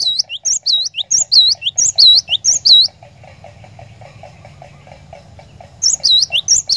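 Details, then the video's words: Lure song of the cinereous tit, locally glatik batu, used so other birds join in rolling 'ngerol' song: nearly three seconds of sharp, high, swooping whistled notes, a quiet gap with faint ticking, then the phrase resumes. "PANCINGAN BURUNG GLATIK BATU, DIJAMIN GLATIK BATU ANDA LANGSUNG IKUT GACOR NGEROL"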